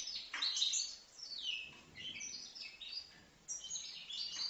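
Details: Five-month-old European goldfinch from Livno giving a lively, high-pitched twittering song, rapid tinkling notes mixed with short descending slurs and buzzy trills, briefly pausing before resuming.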